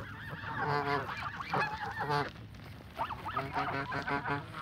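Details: A flock of Canada geese being fed gives a dense run of nasal, harmonic honks. The honks come in quick overlapping bursts, some rising and falling, over steady low background rumble.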